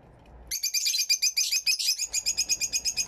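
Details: Caged Fischer's lovebirds in an aviary, recorded with two external microphones on a camera, give a loud, sustained run of piercing, high-pitched chirps, pulsing about five times a second for over two seconds without a break.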